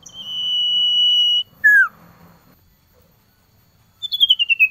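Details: Male common iora calling to a female in the cold season: a steady pure whistle held for nearly one and a half seconds, a short sharply falling note, then a quick descending string of bright notes.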